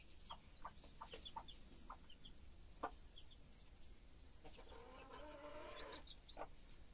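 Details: Broody hen with her chicks: low, short clucks repeated in quick bursts, with thin high peeping from the chicks scattered throughout and a softer murmuring passage near the end.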